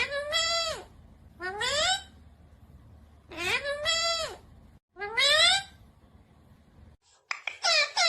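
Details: Rose-ringed parakeet, a green ringneck, giving a series of loud harsh squawks that rise then fall, repeated in bursts roughly every one to two seconds, with a quick cluster of sharp notes at the end; faint low hum beneath.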